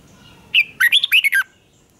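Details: A single fast phrase from a red-whiskered bulbul in fighting song: a short whistled lead note, then four or five rapid, bright, swooping notes packed into under a second.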